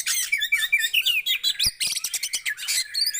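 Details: Dense, hurried chattering song of a Javan white-eye, played to stimulate quiet birds, with overlapping high warbled twitters pouring out almost without pause.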